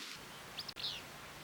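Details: A Southwestern Willow Flycatcher in a dense willow thicket at Bosque del Apache refuge, heard during a summer survey, gives a high fitz-bew: a thin, sneezy 'fitz' then a burry, lower 'bew', over steady hiss.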